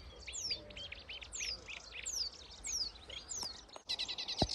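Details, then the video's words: Sedge warblers in full song at dawn in May, in reed beds at Grove Ferry and Stodmarsh reserve, Kent, freshly arrived migrants: a fast, chattering jumble of scratchy notes, sharp downslurred whistles and rapid repeated trills, over a faint low rumble. "Rapper of the reeds - Sedge warblers in full song"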